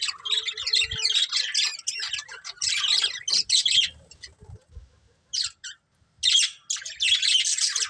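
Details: A budgie breeding pair chatters in harsh chirping bursts, pausing around the middle, then returning with short squawky phrases and a few clear whistled notes.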